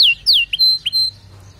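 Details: Canary song fragment: two sharp downward-slurred whistles, then short chirps alternating with thin steady whistled notes, ending in quiet.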